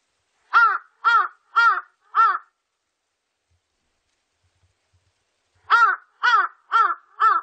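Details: Large-billed crow giving rough, arched caws in two runs of four, each caw about half a second apart, with a long silent gap between runs; no other sounds.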